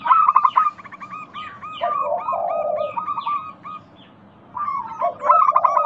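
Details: Zebra dove, local type, giving lure song for reluctant singers: fast chains of short cooing notes, then a low drawn-out coo, a brief quiet gap, and renewed rapid cooing.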